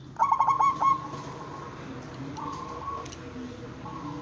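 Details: Lure cooing of a local zebra dove meant to draw replies from other zebra doves: quick staccato coos opening into a drawn-out even tone, followed by further long level coos over a low hum.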